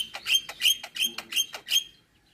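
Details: Jalak kebo, the Javan myna, in full isian song: six quick harsh rasping bursts with squeaky overtones, evenly spaced, ending in silence.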